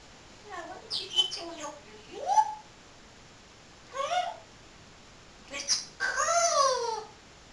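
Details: Pet parrot talking in its blanket-covered cage when supposed to be asleep, practising words; several short speech-like phrases with gliding, harmonic vocal sweeps separated by pauses, the last phrase longest and loudest.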